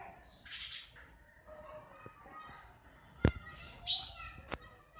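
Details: Natural sound of sparrows: a burst of chirping at the start, thin tonal notes, a sharp click and another loud chirp, with a faint high whine throughout.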